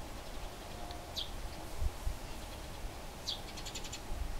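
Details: Wild Eurasian tree sparrows in a fight, Lower Silesia, Poland, near Bolesławiec; two sharp downward chirps about two seconds apart, the second running into a quick harsh chattering rattle, with low thuds in the background.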